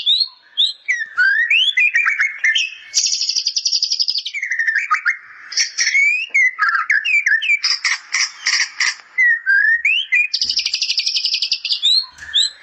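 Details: White-rumped shama singing with a bar-winged prinia fill: rising and falling whistled slurs and quick chirps, broken by dense buzzy rattling trills held for about a second, repeated several times over a clean background.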